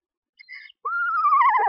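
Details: Screech owl calling at a nest box with tiny owlets: a few soft, high notes, then a steady tone that begins to quaver and slide lower, growing louder and harsher toward the end.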